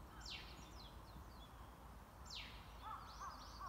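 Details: White-browed laughingthrush calling, April 2022: two harsh, steeply falling squeals followed by short, clipped notes, over a steady low rumble of background noise.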